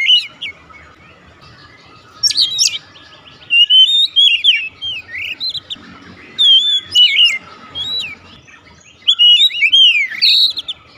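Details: Kacer, or Oriental magpie-robin, straight into 'nembak' singing. Varied whistled phrases come in clustered bursts with quieter gaps: sharp upswept notes, wavering whistles and fast twisting runs.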